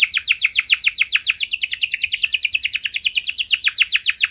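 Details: Vigorous long-singing canary with special phrasing, used to prompt other canaries to sing: an unbroken run of loud, quick descending whistled notes repeated at a lively, slightly uneven pace.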